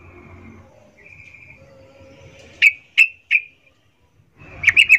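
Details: Yellow-vented bulbul hen calling to males in breeding condition, 'ngecuplik' type: three spaced, sharp, ringing notes, then a short tight cluster of chips after a brief silence.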